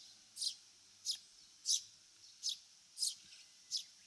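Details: Eurasian Tree Sparrow, a bird of Japanese farmland, grassland and waterside, giving short, high chirps, six in about four seconds at a slightly uneven pace, over a quiet background.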